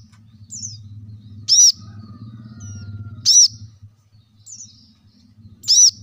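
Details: Kolibri kelapa, the plain-throated sunbird, with three loud, high arched notes spaced nearly two seconds apart, faint falling whistles between, over a continuous low hum; played to make lazy caged birds sing.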